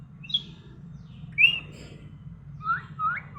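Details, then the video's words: Talking parrot in the morning: short high chirped whistles, a sharp upward slur, then two lower rising whistles near the end, over a steady low hum. "morning orijnal telking parrot"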